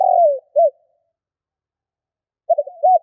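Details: Spotted dove 'kích bổi' calling, caught between phrases: the end of one phrase, a long falling coo and a short note, then a pause, then the stuttered start and arched coo of the next phrase.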